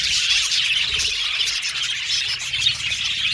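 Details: Short burst of budgerigar aviary chatter: rapid, uneven chirps from many birds, a couple of notes each second over a continuous high twitter.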